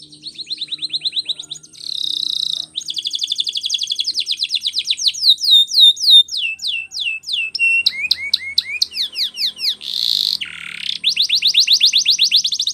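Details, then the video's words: Varied canary song for training, with fast pulsed trills, rows of sharp downward-slurred whistles, harsh buzzy bursts and a closing rapid rolling trill. "Canary singing Training Video"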